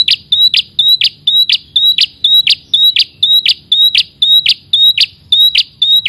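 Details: Rival-directed calling by a red-headed prinia, known locally as prenjak kepala merah. Evenly spaced high whistle-and-buzz notes run continuously at roughly two per second, sharp and bright over faint low background hum.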